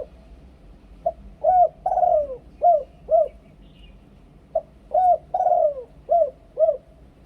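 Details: Decoy spotted dove in Thailand performing the two-kuk ku-ang song: a brief soft lead note, then deep rounded coos around one longer downward-gliding note, the whole phrase given twice a few seconds apart, near and clean.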